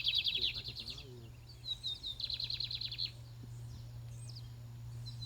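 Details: Contest Lined seedeater, described as fiery, repeats rapid buzzy trills, a loud phrase at the start and another after a second, then thinner high chips fading out.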